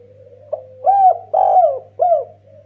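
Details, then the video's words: Three-part cooing phrase from a spotted dove of the 'kuk 1' style, kept as a lure for other doves: a tiny click, then a bright arched coo, a longer drawn-out coo and a final falling coo, low hum underneath. "BURUNG DERKUKU MASTER GACOR KUK 1 BIKIN RIBUT TEKUKUR LAIN"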